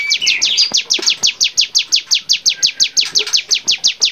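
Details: Bar-winged prinia song used as a training recording for songbirds: a fast, steady series of high, sharp, downslurred notes, about three per second, running without pause throughout.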